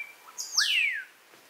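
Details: A Melodious Blackbird, common in the region, sings in the gardens of cabins at Xpujil, Mexico, giving a single loud, clear whistle that swoops sharply down in pitch over half a second, with a soft rising note just before it.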